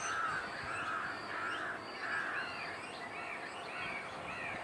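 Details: Hungry great cormorant juveniles, grown fledglings near their nests at Kaikondrahalli lake, begging parents for food on 21 April 2021; harsh, nasal calls repeated in an uneven series, overlapping, with faint higher chirps and outdoor background noise.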